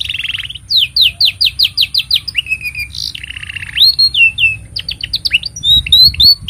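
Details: Canary singing long, busy song used as a master for training young canaries: fast repeated downward-sweeping whistled notes, buzzy trills and rising slurs, high and loud throughout, with a faint steady hum underneath.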